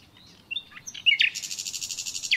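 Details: Natural common nightingale song: soft introductory notes and a short whistle, then a loud chirp leading into a steady, rapid pulsed trill held for over a second before a final downward note.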